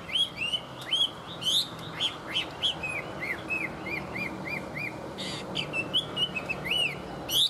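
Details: Tame Chinese hwamei in full song, varied bright whistles and quick upward sweeps giving way to a run of repeated dipping notes, lively and continuous, over faint background noise.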